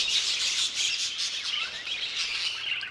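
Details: Budgerigars in an old aviary giving a continuous flock warble, bright chirrups and short slurred whistles running together without pause.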